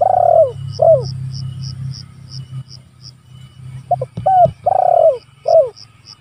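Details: Spotted dove calling out rivals, a lure and training recording: a long coo and a falling note, then after a gap a full phrase of short hoots, a drawn-out coo and a downslurred ending, with low hum and rhythmic insect ticking.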